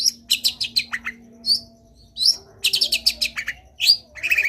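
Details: Long-tailed shrike pouring out a busy full-fill song: dense scratchy high chatter, a few clear rising and falling whistled notes, and short gaps between bursts, with a soft constant hum.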